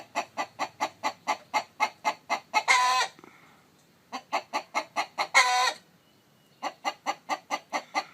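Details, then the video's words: Chicken near a brooding hen on her eggs, giving fast, regular clucks about four per second that climb into a long, harsh squawk, twice, separated by brief silences. "Gà trống kêu mái ấp trứng, âm thanh gà gáy"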